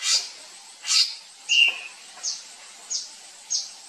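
A drongo gives high, sharp chips and a brief whistled note, about six bursts in four seconds at an uneven pace.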